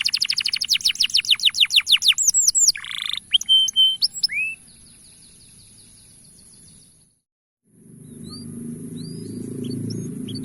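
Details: Male canary song used as a calling lure to get young canaries singing: a fast run of loud descending whistled sweeps, then scattered clear whistled notes and rising slurs, followed by a pause and background music.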